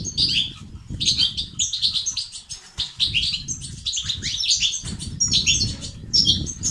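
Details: Twittering European goldfinch song, in the styles called 'batbata' and 'sestesat', meant to boost activity and singing in males. Quick clusters of high, tinkling notes arrive about once a second, with brief pauses, over a low background rumble.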